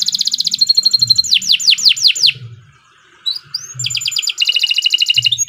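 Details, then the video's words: Canary singing at length: a rapid rolled trill, then a run of steeply falling whistled sweeps, a brief pause, a few scattered notes and another fast trill, with soft low thumps in the background. "Kicau Burung Kenari II GACOR PANJANG Cocok untuk Masteran"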